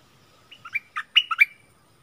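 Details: Brief bulbul phrase from a duel with a wild bird in March 2021: about six punchy, liquid notes jumping between pitches within one second, after a quiet start.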